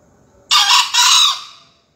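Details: Young green junglefowl crowing at 5 a.m. on 28 February for an Indonesian junglefowl crowing competition, Surabaya: a gravelly two-part call, a short burst then an extended note dying away over about a second.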